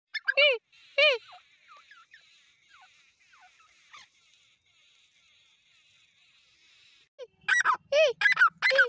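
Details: Grey francolin, called Dakhni teetar, giving loud ringing harmonic notes that drop in pitch, a burst at the start, then a long quiet stretch with faint high chatter, and a fresh run of rapid strong notes near the end.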